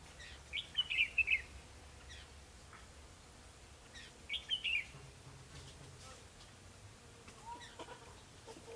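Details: Red-whiskered bulbul during a trapping session on 21 December 2015, singing a fighting song; two short bursts of warbled, chirpy notes a few seconds apart, with faint other calls and quiet background between.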